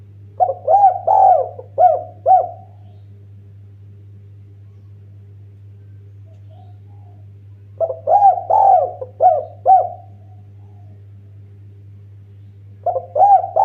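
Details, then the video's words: Repeated song of a Eurasian collared dove used as a lure for other birds: short phrases of four or five deep coos roughly every five to six seconds, separated by quiet gaps, with a steady low background hum. "BURUNG DERKUKU TEKUKUR MASTER GACOR-Pancingan terAmpuh paling juara merdunya.."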